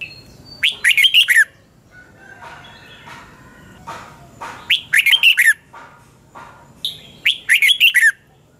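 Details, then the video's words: Lure song of a Red-whiskered bulbul for training, morning 2020, 'double twist' voice: three energetic warbled phrases repeated every three seconds or so, with softer twittering notes in between. "Luyện chào mào hót sáng 2020 chào mào giọng xoắn kép"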